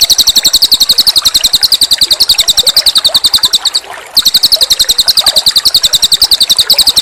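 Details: From a cililin master recording with running water: a loud, very high, buzzy trill of rapid regular pulses, pausing briefly around the midpoint before resuming at the same fast pace.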